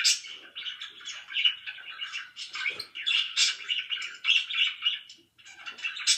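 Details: Pet budgerigars, described as very loud, in a dense stretch of chirping: bright warbled twitters and squeaky notes overlap in rapid bursts, with a short quieter gap near the end.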